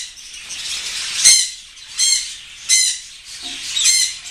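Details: A pair of grey parrots giving harsh, raspy screeches about every 0.7 seconds, each a short burst with a ragged, noisy edge, over a hissy background.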